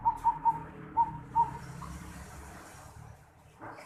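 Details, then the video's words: Zebra dove with an unusual 'noklak' voice, 11 December 2020. Five short, clear coo notes come in quick succession, followed by a few seconds of soft background noise. "Perkutut Suara Aneh Noklak"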